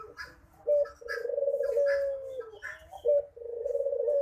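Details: Dove cooing in a manggung performance: a brief sharp note, then a long, level, humming coo. The pattern repeats after a short break, with soft chirps from other birds in the background.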